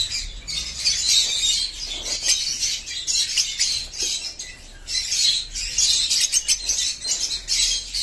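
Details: A crowd of chicks separated from the colony keeps up an unbroken high chirping din, the many overlapping voices rising and falling in loudness every second or two.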